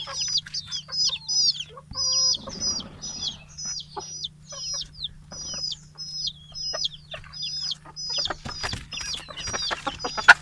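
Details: Morning feeding time after release from the coop, with many big and small chickens, Betbari, Fulbaria, Mymensingh, 6 October 2018; rapid series of high whistled peeps, each with a sharp downward hook, plus a brief hiss early on.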